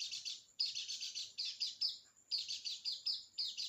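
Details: To coax a reluctant bird into song, a white-eye sings in short bursts of sharp, high chirps, each burst a few rapid notes, separated by tiny gaps and thin piping tones.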